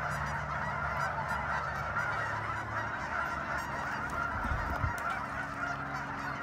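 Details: Steady massed honking of a large goose gathering at Sunset Lake, Guymon, Oklahoma, continuous and overlapping throughout, with a faint low hum and a few dull knocks partway through.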